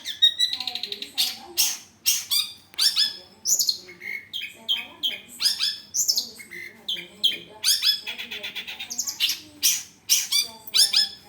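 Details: Long-tailed shrike song used as tutor material: a fast, varied medley of sharp chips, buzzy trills, whistles and harsh notes delivered almost continuously, with quick changes of phrase every half second or so.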